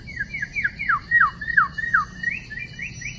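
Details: Wild white-rumped shama recorded during trapping on 12 December 2016: a run of clear descending whistled slurs repeated quickly, then higher short rising notes, over a steady high insect hum.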